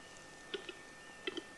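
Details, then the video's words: Western capercaillie's spring mating display in an untouched Russian forest: a few dry, hollow clicks, single and in pairs, spaced irregularly over under two seconds against a quiet background. "The last mating call of the Capercaillie"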